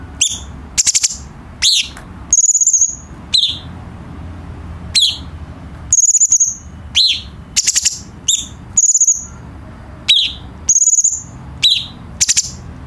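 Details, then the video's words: Cucak cungkok bulbul song meant to teach captive birds: short high whistles and descending chirps given in irregular bursts with brief pauses, against a quiet background. "KICAU BURUNG CUCAK CUNGKOK"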